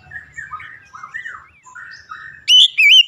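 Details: Oriental magpie-robin with soft, low rambling warbles for two seconds before breaking into two loud, high whistled notes with looping pitch.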